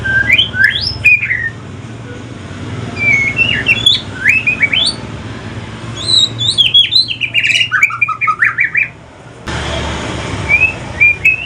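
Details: White-rumped shama, a mutated pastol-type murai from Aceh, singing in the evening: varied whistled phrases, rapid slurred notes rising and falling, chattering runs mid-clip, steady low hum in the background.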